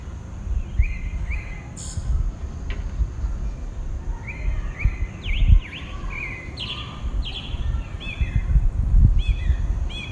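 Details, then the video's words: A single pale-breasted thrush (Turdus leucomelas) in southeastern Brazil sings its dawn song: short, varied whistled phrases, some rising and some falling, sung every second or so over a steady low rumble of background noise. "a dawn song from a pale-breasted thrush (Turdus leucomelas)"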